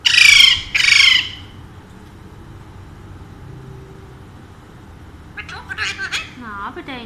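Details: Two loud, harsh back-to-back screeches from a pet Alexandrine parakeet, one of a pair said to talk in Urdu and Hindi, then a long quiet stretch ending in soft chattering notes.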